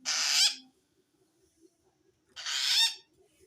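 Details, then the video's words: Pair of rough, screeching rasps from a long-tailed shrike calling wild shrikes, described as a sign of feeling threatened by another shrike; each burst lasts about half a second, two seconds apart, over a faint hum. "suara aneh burung cendet"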